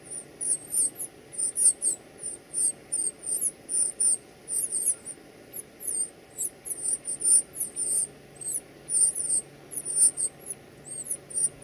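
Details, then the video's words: Fed baby birds keep up an almost continuous run of high, sharp squeaking begging notes, clustered and rapid, several each second for nearly twelve seconds, over a quiet low hum. "feeding baby birds"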